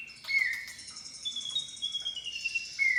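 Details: Lure call of a Javan pied starling, meant to draw out a long full-repertoire song: a mix of long level whistles and sliding notes with a faint scratchy chatter underneath.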